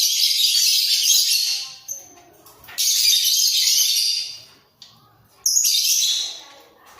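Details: A budgerigar pair, caged for breeding and nodding as they call, gives three separate bursts of harsh, high chattering warble, each about two seconds long, with near silence between them.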